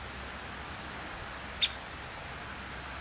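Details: A single crisp, high pik from a fearless, talkative female downy woodpecker, standing alone against a steady hiss.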